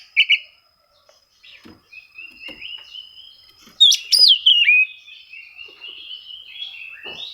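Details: Oriental magpie-robin singing to find rivals, used as a lure for quiet birds: brief chips, a long thin steady whistle, then loud sharp notes and a drawn-out whistled phrase, with faint clicks.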